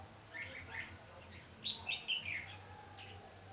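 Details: Red-whiskered bulbul used as a decoy during bird trapping on 20 November 2015, singing to lure and fight wild birds: faint short warbled, chirpy phrases, some rising and falling, scattered across the clip over a steady low hum.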